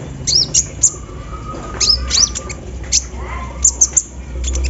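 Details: Sunbird (kolibri ninja) in full song while out in the morning dew, with embroidery-machine-style filler; bright high chirps and downward sweeps in bursts, a faint steady mid-pitched tone underneath, and a low background rumble.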